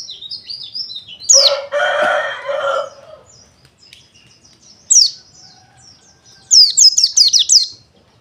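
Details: Pleci dakun wilis white-eye twittering in short high bursts, interrupted early by a loud rooster-like crow, then further quick chirp runs with quiet gaps.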